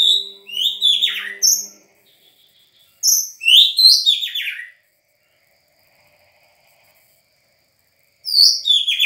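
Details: White-rumped shama of the Sangir type, a newly obtained bird, singing bursts of rapid, varied whistled and chattering notes sweeping between high and mid pitch, each burst lasting one to two seconds and separated by silent pauses.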